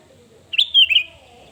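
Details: Sooty-headed bulbul, kutilang, singing a provocative lure phrase aimed at rivals: a single clear bubbly whistle of several linked notes, stepping up then gliding down, with a faint trailing tone afterwards.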